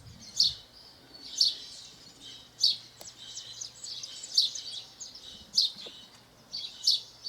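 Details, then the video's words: House sparrow in the wild in Brazil, giving short bright chirps about once every 1.2 seconds, each a sharp descending note with buzzy trailing fragments, over faint background hum. "canto do Pardal na natureza"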